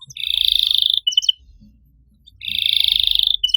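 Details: Canary master song aimed at silent canaries: two long, dense buzzing rolls separated by a short pause, each ending with a couple of bright clipped chirps.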